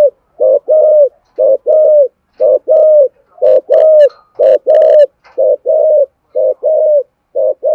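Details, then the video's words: Spotted dove's driving coo sequence for exciting decoy birds: steady, evenly spaced groups of two to three loud hollow coos, about one per second, with a brief burst of scratchy clicks near the middle. "Thổ Sấm thúc gù gáy gọi dùng kích bổi cực đỉnh"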